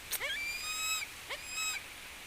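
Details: A Philippine eagle named Bagwis gives two high, thin whistled calls, each a quick upward slur into a long, steady, piercing tone, over faint background hiss.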